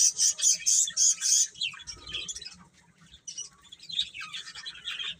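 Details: Chicks open with a burst of loud, shrill peeps in quick succession, then the chorus thins to scattered, softer chirps with short pauses before picking up again near the end.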